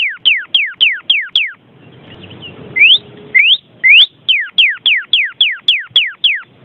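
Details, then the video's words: Vermilion cardinal singing a series of steeply falling whistles, a short pause, three rising slurred whistles, then a long run of falling whistles at an even pace of about two per second. "SUARA VERMILION CARDINAL"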